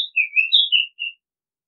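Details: Oriental magpie-robin whistling a brief phrase of pure, sliding notes. The notes step down and back up, ending on a fading lower whistle. Silence follows.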